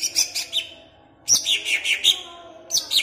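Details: Greater green leafbird kept in a cage in Pemalang, Indonesia, its song used to excite other birds: short high chirps, a silent gap, then a lively string of bright, descending whistled notes and a final brief burst.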